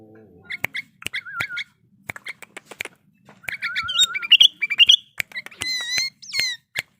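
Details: Sooty-headed bulbul in breeding condition giving paired chirps and wavering whistles, separated by frequent sharp clicks. Near the end come clear descending whistled notes.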